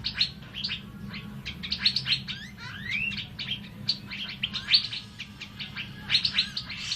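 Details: Energetic song of an Asian fairy-bluebird meant as a training model for cage birds. Dense high twitters and clipped notes are broken by a rising slurred whistle, all delivered rapidly and continuously.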